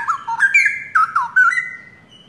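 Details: Straw-headed bulbuls (cucak rowo), a young forest-caught pair long kept by their owner, singing vigorously: a short burst of mellow, gurgling whistles with quick rising and falling slides, ending in a held, fading note.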